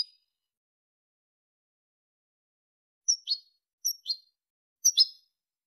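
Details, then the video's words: European goldfinch, Malaga song for teaching chicks and hybrids: after a long silence, three high, clipped two-part chirps come roughly a second apart, thin and metallic. "jilguero malaga لغة كوبيا ملقا تلقين وتسميع فراخ الحسون و الهجين"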